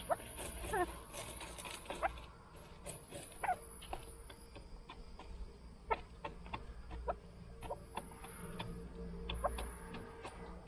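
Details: A group of kept chukar partridges clucks with short, dry notes, some doubled, scattered irregularly over steady low hum and occasional faint high hiss.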